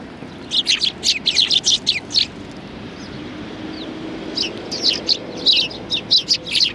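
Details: Several sparrows on a bench at Tenmangu shrine, 30 January 2020: two bursts of quick, high chirps, about a dozen rapid notes, then a short pause before another lively chattering run, over a soft background hum.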